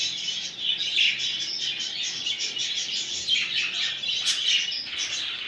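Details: Several budgerigars warble continuously to spur a male to mate, their high twittering chirps layered together, with a sharp bright click-like note just past the fourth second.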